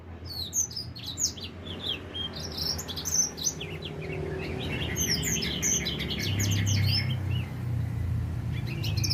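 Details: Young edel sanger finch, four months old and starting to sing, giving fast high chirps and slurred notes, then a buzzy stuttering run of repeated short notes, over a rising low background rumble.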